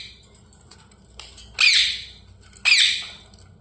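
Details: Pet parrot kept indoors, two loud harsh squawks about a second apart, each a burst of noisy high screech, after a person's softly spoken words.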